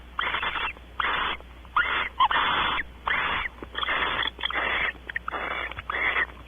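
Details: At Audubon Starr Ranch, California, barn owls mate on a porch while one gives repeated raspy, hissing screeches. About eight broad bursts arrive roughly every three quarters of a second.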